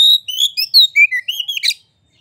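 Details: White-rumped shama song used to incite rival birds to sing: a brief held whistle leading into a fast string of sweet slurred whistles and a closing harsh rasping note.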